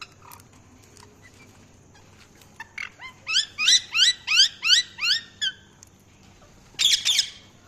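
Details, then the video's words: Parrot chirping: a rapid run of about eight bright, rising whistled notes repeated roughly every third of a second, preceded by faint clicks and followed by a short harsh squawk, with low background hum. "Parrot Chirping Sounds | Parrot calling sound"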